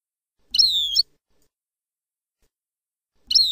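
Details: European goldfinch singing in the Palestinian song style, recorded for breeders to play to young birds. Two short, bright phrases come half a second and three seconds in, each a high note sliding downward with a sharp upper accent, separated by silence.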